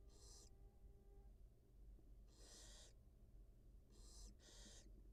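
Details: Wild barn owl mother feeding two newly hatched nestlings, nest camera recording; loud airy hisses, one short, one longer, then a quick double burst, over a humming background.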